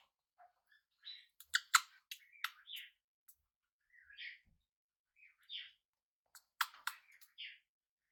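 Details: Hand-reared budgerigar, first day in its new home, makes short sharp chirps and clicks mixed with brief warbled notes in quick bursts, with quieter pauses between clusters, in a small room.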